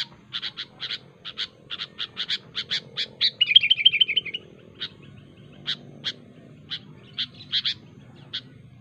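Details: Sooty-headed bulbul, kutilang, sharp calling to provoke rivals: regular spaced sharp chirps about three per second, a brief burst of rolling warbled notes midway, then more scattered chirps over a faint low hum.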